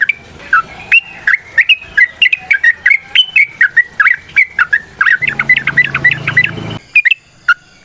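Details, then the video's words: A yellow-vented bulbul gives its long fighting song to provoke rivals into singing: a continuous run of warbled, bouncing notes, ending with a faster chattering burst over a low hum, then a final call. "TRUCUKAN GACOR TARUNG ROPEL PANJANG"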